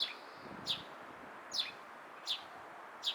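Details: Eurasian tree sparrow giving clear, slightly downslurred chirps, one roughly every three quarters of a second, with a faint low rumble in the background.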